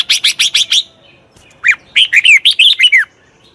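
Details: Wild-caught red-whiskered bulbul in training: a quick series of five sharp chips, then a pause and a flowing phrase of clear, looping whistled notes.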